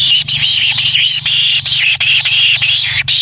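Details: Young kingfisher begging while its parent feeds it: a steady, shrill, wavering buzz held almost without pause, broken by short gaps, over a faint low hum.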